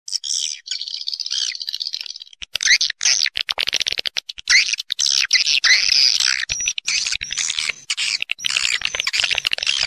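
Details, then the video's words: Swiftlets giving a roosting lure call (suara inap), said to be taken from nature and used to attract swiftlets to roost: dense high twittering and chattering chirps that start after a brief sparse opening, then run almost continuously with short gaps. "Suara Walet Original II Suara Inap Walet terbaik II Panggilan Asli Burung Walet dari alam"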